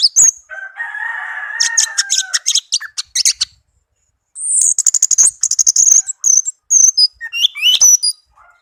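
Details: Tame caged orange-headed thrush giving its melodious song: a lower buzzy, rattling phrase, then a pause and a fast series of high chirps, slurred whistles and twitters with short gaps.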